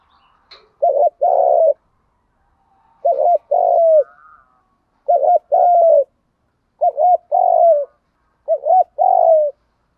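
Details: Spotted dove repeating its 'thúc gù' lure call, used to stir up birds: five phrases roughly every two seconds, each a bubbly wavering double note followed by a longer husky coo that drops at the end.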